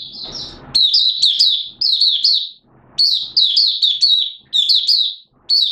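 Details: Buka song of a Malaysian Oriental white-eye, recorded in Singapore on 29 March 2023 in warm, humid weather with sudden showers. Loud, high, thin warbling phrases of rapid descending notes come in clusters separated by brief silences.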